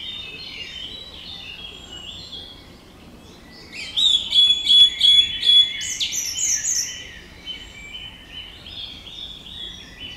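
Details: Song thrush singing: after a quiet start, a loud burst of sharp, high repeated notes, each phrase given several times over, followed by softer varied twittering phrases.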